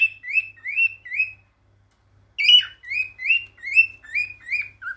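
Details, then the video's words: Courting male cockatiel singing to stimulate females: upward-sliding whistled chirps in steady runs, a brief silence, then a longer run ending on a lower note. "تغريد ذكر كوكتيل رائع للتزاوج"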